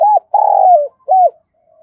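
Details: Spotted dove, giọng thổ voice, heard close: a short arched coo, a long vibrating note that drops in pitch, and a final rising-falling coo, with a quiet background.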